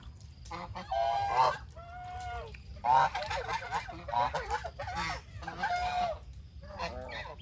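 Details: Geese raised naturally call while eating, producing rich, harmonic honks, some rising and falling in pitch, in irregular clusters with several birds overlapping throughout.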